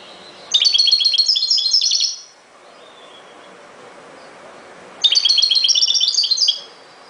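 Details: Goldfinch song in two fast, bright twittering phrases, each about one and a half seconds, packed with tinkling notes and short trills, separated by a quiet gap of nearly three seconds.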